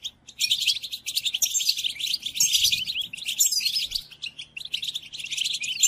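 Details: Captive goldfinch song-training recording, used while birds moult: a long, fast run of bright chattering twitters and tinkling trills, starting after a short pause and continuing almost without a break.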